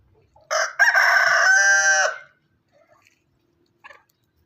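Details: Farm rooster giving one full, loud crow of about a second and a half. It opens with two short rising syllables, then a long sustained, strongly harmonic note that holds steady before cutting off, followed by quiet faint clucks.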